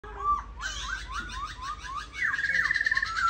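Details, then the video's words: Black laughingthrush, a kept songbird praised for fine singing and display, gives a rapid run of short slurred notes repeated about three times a second, ending in a loud, sustained rising whistled phrase. "Khướu mun hót hay múa đẹp"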